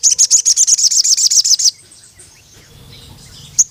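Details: Crimson Sunbird calling toward a rival male. A quick, even series of about twelve piercing high ticks over one and a half seconds, then near quiet with faint background rumble and one last sharp chip.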